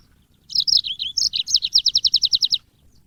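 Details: Yellow-fronted canary, called the Mozambique bird from Africa, singing as cage-bird training audio: high sweet twittering notes, then a fast even trill of about fourteen repeated chirps over roughly a second, clean background.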